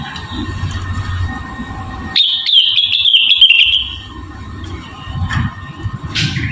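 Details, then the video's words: Javan cochoa song, a melodious chattering model for training other birds: after a hum of background noise, a thin high whistle holds for over a second with quick clicking notes above, then the noise returns. "RENGGANIS / CUCAK WILIS GACOR CREWET MERDU"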